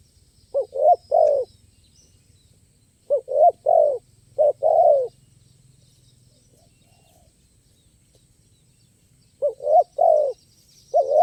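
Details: Spotted dove at a dove-luring site, singing in a crisp voice with stuttering sound play. Repeated three- to four-note coo phrases, each a quick stutter followed by a longer falling coo, spaced by pauses of several seconds.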